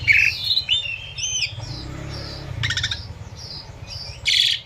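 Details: Asian pied starling song over a steady rushing of flowing river water, meant for training captive birds: thin whistled notes and slurs, a short dense buzzy burst midway, and a loud rasping ending.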